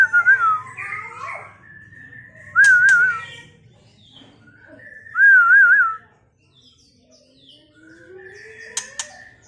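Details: A male white-rumped shama of the Medan type gives short, rich warbled whistles that quaver up and down, a phrase every two to three seconds, over a faint low hum.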